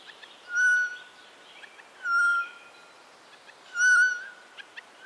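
Eurasian jay giving three drawn-out, mewing notes, level in pitch and spaced about every one and a half seconds, with faint ticking sounds between.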